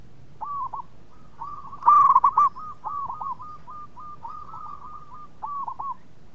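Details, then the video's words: Local zebra dove in full song, a sweet-voiced bird that prompts others to sing: one loud, bubbling coo burst stands out among many softer, steady, hook-shaped coo notes repeated quickly by other doves. "PERKUTUT LOKAL GACOR SUARA MERDU TUKANG PENGUNDANG BUNYI"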